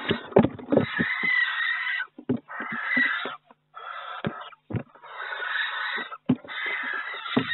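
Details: Barn owl in a nest box in May, with hatching under way: repeated harsh hissing screeches run together with thumps, knocks and scraping movement noises in the box.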